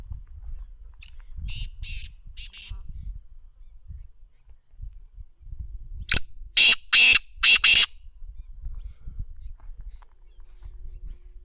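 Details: Black francolin, known locally as kala teetar, calling: a faint distant phrase of harsh notes, then a loud close phrase of one short grating note followed by three longer rasping notes, over low rumbling background noise.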